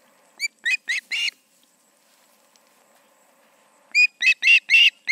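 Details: Two ospreys at the Charlo nest, 7pm on 20 August 2019: a group of four shrill whistled chirps, a quiet gap of nearly three seconds, then another tight group of five.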